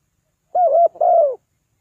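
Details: Spotted dove call used to draw birds down: two smooth, hollow coos, the first level and wavering, the second longer and falling away at the end, with nothing else heard.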